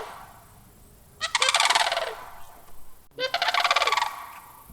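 Sandhill crane giving two loud, rolling, rattling calls about two seconds apart, each lasting just over a second, with quiet background between.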